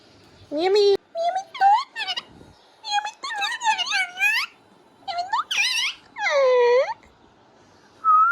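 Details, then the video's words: Beautiful green parrot speaking clearly, phrase given as "Mia Mithu chori khani hai": a string of clear, tonal, speech-like syllables with swooping pitch, some drawn out, ending in a rising whistle-like note. "Mia Mithu Chori khani hai speaking clearly || Beautiful Green Parrot"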